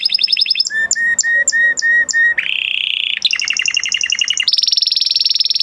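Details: A male canary sings varied tours: a fast trill, a row of clear low whistles, a buzzy rattle, a rolling trill, then a high sustained trill.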